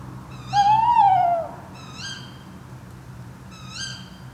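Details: Tawny owls at night, recorded overnight on a drop rig with a Zoom F3 and Clippies microphones in the Fachwen area of Padarn Park, Wales, near Llyn Padarn: one long wavering tonal note, then two shorter sharp rising calls at roughly two-second spacing.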